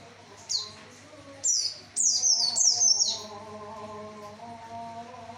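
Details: Javan white-eye singing to lure males: high, thin descending chirps, one alone, then a fast run of several, with a low humming voice continuing underneath.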